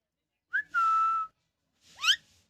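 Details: Rescued pet ringneck (rose-ringed parakeet), an Indian bird, happy: a short rising note runs into a long, steady, slightly falling whistle, then after a pause a harsh rising squawk.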